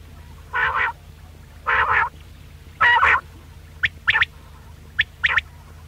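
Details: Hunting-lure recording of quail: three drawn-out nasal, harmonic calls spaced about a second apart, then quicker clipped double notes, with a faint steady hum behind.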